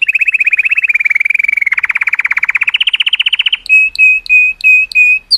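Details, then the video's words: Color Canary singing to stimulate females: a rapid high trill for nearly two seconds, dropping into a deeper, broader trill that then rises, followed by five steady pure whistled notes, each about half a second long. "Cheerful Color Canary Singing Joyously part 2 | تغريد كناري رائع، لتحفيز الإناث"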